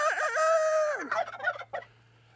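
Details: On a farm at morning feeding time, the turkey Thomas gobbles: a loud, warbling burst that quavers quickly, then draws out and drops in pitch, followed by a few softer clucking notes.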